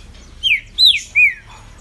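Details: Kept green-winged saltator singing a phrase of three strong whistles: a falling slur, a higher arched note and a lower descending note, evenly spaced about every third of a second.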